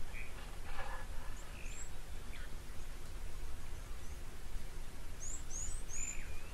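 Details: Blue Waxbills at a waterhole with stagnant water on the afternoon of 28 March 2024 give thin, high, slightly rising tsee notes, scattered and clustering near the end, over a steady low rumble of wind.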